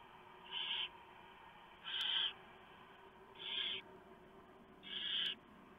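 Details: Barn owl nest at 3:59 AM, 3 November 2015, as a huge mouse brought by the male is shredded by the female for the owlets. Four rough, breathy hisses are spaced about 1.4 seconds apart, with faint ticks between them.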